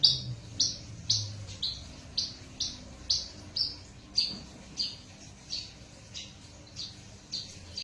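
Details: Crossbred Horsfield's bush lark from a parfa male and a Java female, delivering a steady run of short high whistled notes, close to two per second, softer and slightly descending, with low room hum beneath.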